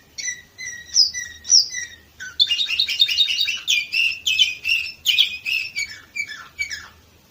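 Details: Canary in Varna, Bulgaria, 2018, giving ringing whistled notes that lead into a long stretch of fast, loud rolling trills and chattering phrases.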